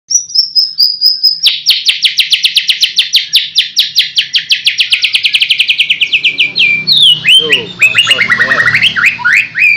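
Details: White-rumped shama, a prospective contest champion, in song: a few clear whistled notes, then a long rapid run of sharp repeated notes gradually falling in pitch over several seconds, breaking into varied rising and falling whistled phrases at the end.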